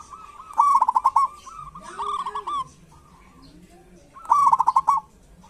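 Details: Lure recording of a local zebra dove in kerot and bekur style: two bright, pulsing trilled coo phrases with a longer, wavering coo between them, a softer low cooing voice faintly underneath.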